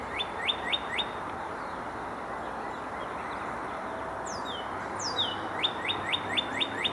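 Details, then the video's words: Male northern cardinal in forest, munching on a leaf while making a couple of calls: quick runs of clear downslurred whistles, about four a second, broken by two longer high sweeping slurs over a soft steady hiss. "Here's a male northern cardinal munching on a leaf making a couple of calls."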